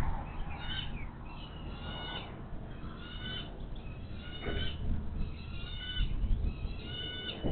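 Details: Adult bald eagles at a nest along the Monongahela River in West Mifflin, Pennsylvania, near Pittsburgh, one flying in with a fish on 25 May 2023, nest camera; thin, high whistled notes with harmonics come in short bursts over a steady low rumble.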